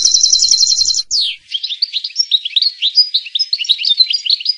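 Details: Goldfinch-type singing: a fast, rattling trill, then a sharp downward slur and a jumbled stream of tinkling, twittering notes.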